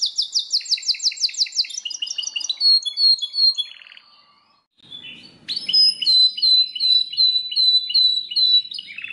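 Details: Belgian canary delivering fast high trills and whistled notes, falling quiet for about a second, then resuming with repeated sharp upslurred whistles.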